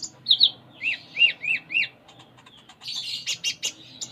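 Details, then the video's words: Konin (Sunda minivet) in 'full isian' song: a string of about five slurred, arching whistled notes, then a burst of harsh high chirps. "Konin Gacor Full Isian"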